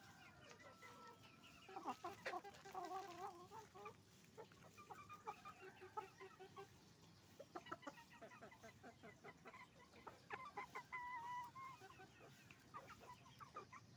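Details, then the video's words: Flock of roosters and hens at a chicken farm: continuous chattering clucks and a few longer, wavering cackles from numerous birds, with a low, steady hum throughout. "Moment of the sound of a chicken farm, roosters and hens making noise"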